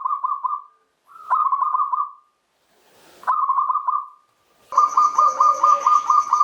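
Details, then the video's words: Local zebra dove opening phrases used to get quiet doves singing: four bursts of rapid, evenly pulsed cooing notes split by short silences. A steady high whine joins the last burst. "JENIS SUARA ANGKATAN PERKUTUT LOKAL AUTO NYAMBER PERKUTUT MACET"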